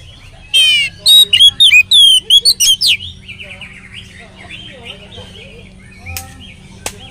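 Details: Oriental magpie-robin lure song to set other magpie-robins singing: a buzzy trill, then about ten crisp whistled and swooping notes, followed by quiet chatter and a couple of sharp clicks.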